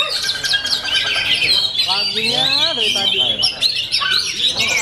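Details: Oriental magpie-robin singing at full power: a dense, rapid stream of high whistles, trills and chattering notes, with lower sliding tones and a background murmur beneath.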